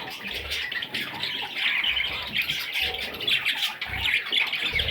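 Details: Young budgerigar chicks give a busy stream of harsh, high chirps and squeaks, swelling and easing in waves, with faint thumping below.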